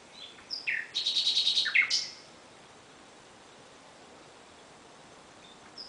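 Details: Brief nightingale phrase in the night: a few sliding notes, then a quick buzzy trill of repeated pulses near one second long and a harsh closing note, followed by quiet background hiss.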